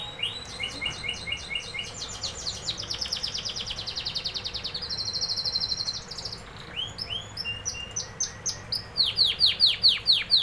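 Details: Canary singing loud, very high rolling trills, a long buzzy rattling tour, then well-spaced sweeping whistles gathering into a rapid crescendo; faint hum in the background.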